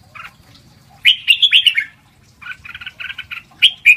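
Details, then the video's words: Red-whiskered bulbul, 'lak wai' song style meant for training young birds; one strong burst of quick, bubbling whistled notes, then a series of shorter clipped chirps ending with a sharp bright whistle. "เสียงฝึกร้องนกกรงหัวจุก เพลงลากหวาย"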